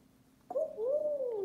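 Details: A pet African grey parrot, a talking bird, gives one drawn-out, voice-like vocalization about a second long, starting sharply, rising slightly, then sliding down, in an otherwise quiet room.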